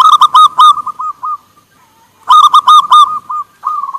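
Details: Local zebra dove (perkutut lokal) with others calling back and forth: two loud phrases of rapid, rolling, bubbling coos that trail off into softer notes, and a third phrase beginning at the end.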